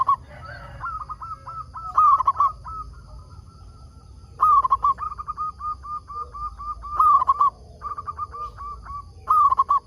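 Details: Lure-singing local zebra dove meant to get wild doves calling back: soft rippling coo phrases, a loud trilled burst at intervals of a few seconds, then long runs of evenly spaced short hooked notes.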